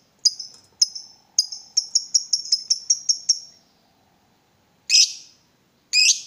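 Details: Provoked, excited lovebird. A few spaced high chirps speed up into a rapid chattering run, then after a pause come two harsher, broader screeches.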